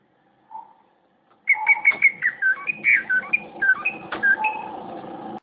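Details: Competition-quality greater green leafbird delivering a loud varied stream of clear whistles and warbled phrases after a brief soft note, over a steady low background hum.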